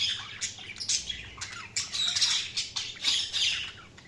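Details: Budgerigars chirping in a dense, busy stream of high, scratchy warbles and squeaky chirps, with short bursts overlapping almost continuously and several louder squawky notes standing out.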